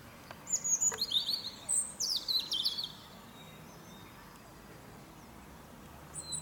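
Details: European robin singing in the morning from a fir tree: a quick run of thin, high, glittering notes and sliding whistles for about two seconds, then a quiet pause with faint background noise.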